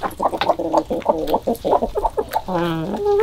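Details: Chickens on a February 2022 morning give a run of short, nasal, harmonic clucks, then a longer drawn-out cackling note near the end.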